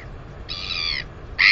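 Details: Loud, drawn-out harmonic squeal from a northern royal albatross chick, 218 days old, while she exercises her wings near the nest. A second squeal begins just after. Only low wind rumbles beneath.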